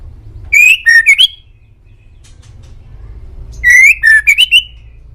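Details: A white-rumped shama on a master recording for prompting pet birds to answer sings two similar loud phrases of clear whistles, each a rising note followed by a lower note and quick upward flourishes, separated by about three seconds of quiet.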